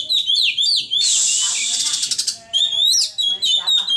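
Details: White-rumped shama song with quick whistled slurs, then a long harsh hissing rattle of more than a second, followed by more bright sweeping whistled phrases.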